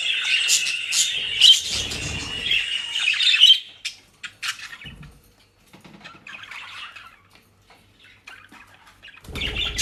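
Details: Pet budgerigars in Den Haag, Netherlands, eating dry leaves and grass; lively warbled chirping for about three seconds, then mostly quiet with faint scattered twitters and soft rustling, and the chatter returns briefly at the end.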